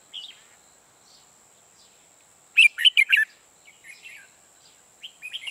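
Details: Red-whiskered bulbul, a decoy bird for trapping, giving a loud burst of four sharp warbled notes after soft whistles, followed by quieter slurred phrases.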